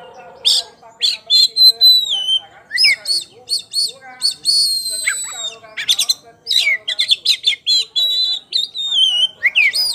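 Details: Varied ngeplong song from a champion poci-type Oriental magpie-robin: loud rapid bursts of high chips and trills mixed with long whistled notes that slide down, delivered almost without pause.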